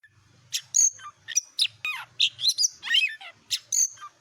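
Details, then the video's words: Tame white-rumped shama singing energetically while perched on a handler's hand: loud, varied phrases of sharp high whistles, rapid downward slurs and chattering notes, separated by short pauses, with faint low clicking beneath. "Burung KACER JINAK gacor nangkring ditangan pemaster handal"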